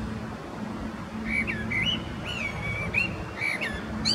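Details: Male common blackbird singing near Zurich, Switzerland, in February 2017, a bird with many song patterns; a run of fluty warbling whistles wavering up and down, followed by short high sharp notes, with steady low hum beneath.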